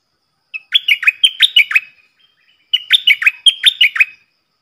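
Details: A captive stripe-throated bulbul used as a lure bird sings loud, clear phrases meant for young birds to imitate: two rippling bursts of six or so sharply dropping whistles, a pause between them.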